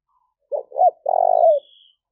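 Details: Spotted dove coo used to attract wild doves: short low note, a rising-falling double note and an extended throbbing croo, ending with a faint trailing murmur and a high thin whistle.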